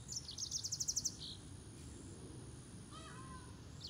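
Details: Green singing finch, also called Canario de Mozambique, giving a short song: a fast run of high repeated chirps lasting about a second, then a brief lower warbled phrase, over a steady background hiss.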